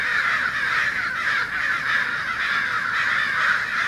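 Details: American crows gathered in large numbers in a Fresno, California neighborhood on 2 January 2016, activity centered on an ironbark eucalyptus, no hawk present; many harsh caws overlap into a dense, continuous raucous chorus.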